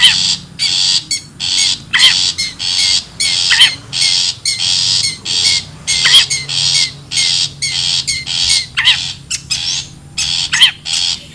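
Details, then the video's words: Wild long-tailed shrike calls used as a lure sound for trapping birds: harsh, buzzy squawks repeated in quick bursts about every half second, with a few rising whistled notes mixed in, over a faint low hum. "SUARA ASLI PIKAT CENDET,PENTET ALAM LIAR"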